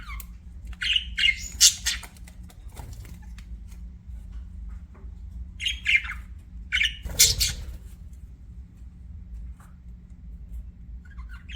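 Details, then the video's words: Budgerigar giving scattered short squawks and chirps in brief bursts separated by quiet gaps, with a steady low hum in the background. "BUDGIE CHIRPING SOUNDS"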